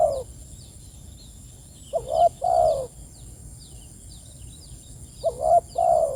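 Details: Spotted dove calling its companions: a trailing coo, then two mellow phrases, each a short note and a drawn-out throaty coo, about three seconds apart; faint small-bird chirps and a constant shrill tone in the background.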